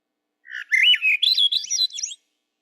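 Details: Swainson's Thrush song, which carries between birds in deep wooded territories: one flute-like phrase of rolling notes spiralling steadily upward over nearly two seconds to a thin, airy finish; a Maine spring bird.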